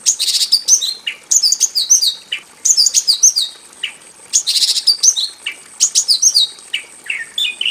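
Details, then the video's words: Caged Javan bush lark in a small aviary, singing nonstop and packed with varied phrases. Buzzy trills alternate with quick, high, downslurred whistles, delivered in dense irregular bursts for almost eight seconds. "KICAU SUARA BURUNG BRANJANGAN JAVANICA GACOR FULL ISIAN"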